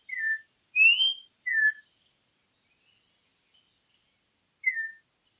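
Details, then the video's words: Campo troupial song, an imported bird: clear whistled phrases, a falling note, a brighter rising-falling pair, then another falling whistle after a pause near five seconds; otherwise quiet. "suara burung import campo troupial"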